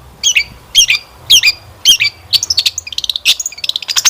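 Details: Lure recording of long-tailed shrike song meant to make caged birds answer: harsh chirped phrases about every half second, then a fast rattling string of high ticks and trilled notes.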